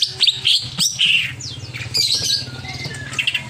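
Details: Agitated greater green leafbird delivering rapid, varied song: sharp chips, falling whistled slurs and buzzy rasps mixed together, over a constant low hum.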